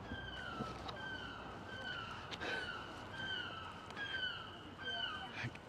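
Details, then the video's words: A seagull in Amsterdam city streets gives a run of short, nasal, slightly falling cries, roughly one per second, over street noise, clatter and a man's voice. "I'm not sure if you can hear the seagull"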